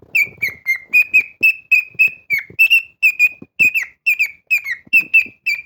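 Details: Pet cockatiel whistling a loud song: a continuous, evenly paced series of about seventeen clear notes, some rising and some falling, with soft clicks and rustles in the background.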